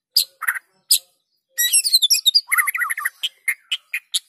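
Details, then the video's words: Lively white-rumped shama song for luring silent shamas into singing: a few isolated high chips, then a fast twittering run of very high notes, followed by a quick series of short clipped notes about every quarter second. "PANCINGAN MURAI BATU GACOR!! Murau Batu Malas Akan segera ikut Gacor"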